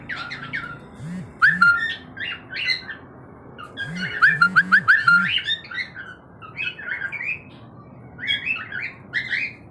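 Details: A pet cockatiel colony in Karachi, Pakistan chatters with harsh squawks and short rising whistles over low cooing.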